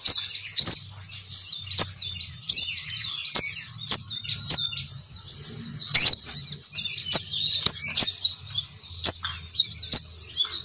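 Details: Female sogon bird call played to lure males downward: rapid high squeaky twittering with looping warbled notes, broken every second or so by sharp clicks, over a faint low rumble.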